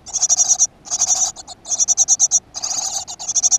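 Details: Great tit inside a nest box in a school garden, recorded 7 June 2015; harsh, fast-pulsed high bursts lasting about half a second each, separated by brief gaps.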